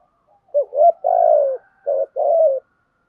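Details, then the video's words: Spotted dove used as a decoy to draw in wild birds, giving one full cooing phrase: a short note, a rising coo, a long falling coo, then two further coos, all low and throaty in a quiet setting. "Chim cu gáy mồi có giọng gáy hay và bài bản, kích bổi nhanh nổi và gáy nhanh"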